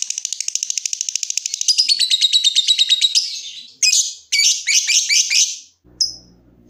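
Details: Lovebird song, used to make other lovebirds trill: fast even ticking that builds into a louder buzzy trill, followed by several harsh chattering bursts and one short squeak.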